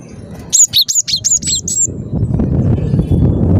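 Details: Persistent song of a cinereous tit: a series of bright, high paired whistles, followed by rising low background noise.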